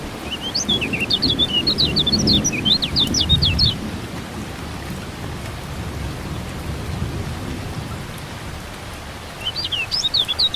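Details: Lemon-bellied white-eye song in rain therapy for birds that won't sing: a quick high twittering run for about three seconds, long stretch of pouring rain and thunder, then another short chattering burst at the end.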